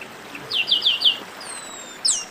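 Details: Chestnut-capped blackbird, known locally as garibaldi, singing a song of the style called baderna, played to warm up other singing birds: a run of four short, high descending notes, then thin high whistles and two sharp notes.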